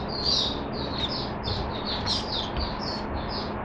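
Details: Oriental white-eye kept in a cage on mixed drinking water, warbling rapid high twittery notes without pause against steady noisy background hiss.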